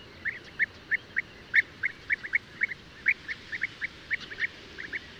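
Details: Sparse, short trilled calls of a European bee-eater (Merops apiaster), spaced irregularly about every quarter to half second against a quiet, steady background.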